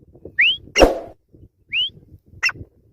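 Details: Grey francolin (teetar): two rising, upslurred whistles, each set apart by a rough, broad crackling burst, with faint low rumbling between them.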